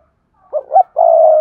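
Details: Spotted dove used as a lure bird for wild doves, giving a single loud coo phrase: two short rising notes followed by a long steady purring note.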